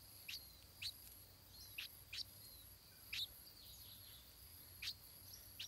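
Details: Stripe-throated bulbul nestling in the nest, fed by its parents: clipped high chirps spaced about half a second to a second apart, with soft faint tones in between.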